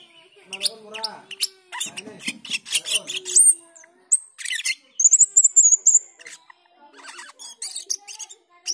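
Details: Black-winged myna calls that lead into chattering, used to train cucak keling: quick harsh notes and rasps, then a high, wavering whistled trill about a second long, then more scratchy chatter.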